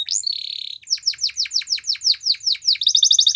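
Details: Canary song: a rising whistle into a flat buzzy note, then a steady series of about a dozen loud falling chips, roughly five per second, ending in a quick high trill.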